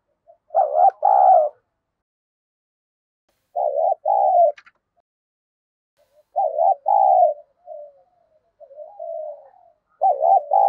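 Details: Decoy spotted dove, kept to provoke rival doves, cooing in excited daily style; paired low coos repeat about every three seconds, with soft drawn-out hums between some phrases, no background noise.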